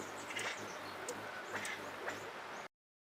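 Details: Acorn woodpecker tending its acorn granary in an old oak tree, giving harsh, nasal, quacking calls in three short bursts about a second apart, over a steady background hiss.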